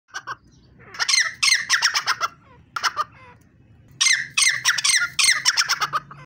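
A partridge gives loud, harsh, grating squawks in bursts of rapid repeated notes, about three per second, with short pauses between bursts.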